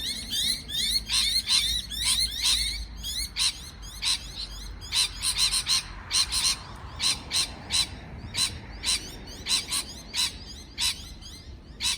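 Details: Parrot chattering with fast, overlapping, rasping chirps at first, then well-spaced sharp, harsh single calls roughly every half second.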